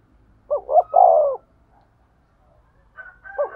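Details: Spotted dove cooing, a thúc gù call meant to stimulate a male: one complete phrase of two quick notes and a long coo, a pause, then a faint whistled tone and the start of another phrase.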